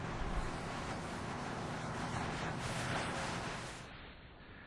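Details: Gusty wind roars across the microphone and gradually eases toward the end, with no animal call heard.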